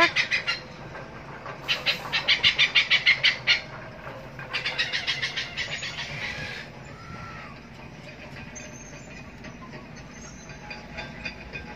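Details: Hornbill recorded near Pasir Gudang: two loud bursts of rapid, harsh, evenly repeated notes, then quieter scattered sounds with faint background noise.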